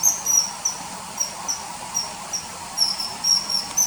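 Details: Common kingfisher, calls inserted into footage of a bird hovering and catching small fish along a river in early September 2020; sharp piercing whistles, several per second in uneven bursts, with a soft steady background hiss.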